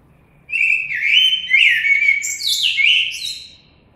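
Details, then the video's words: Common blackbird pouring out a continuous melodious phrase of flute-like whistles that glide between notes and rise into higher, squeakier twittering toward the end, in a calm, quiet place. "Κότσυφας. Blackbird Song & Calls"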